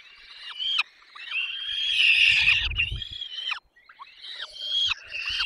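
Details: Peregrine falcon young being fed at their nest in the Barycz Valley, Poland, 6 May 2021. Piercing, drawn-out wailing cries swell and waver, break off briefly, then resume as shorter downward-slurred squeals.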